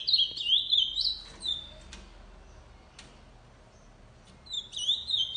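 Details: Tournament-kept ultramarine grosbeak singing a lot: a short, sweet warbled phrase of high slurred whistles, then about three seconds of quiet with faint clicks, and the phrase again.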